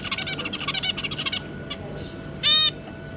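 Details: Zebra finch pair with their three juvenile offspring, 2 August 2022: a burst of quick buzzy chattering for over a second, quiet, then a single loud nasal trumpet-like beep.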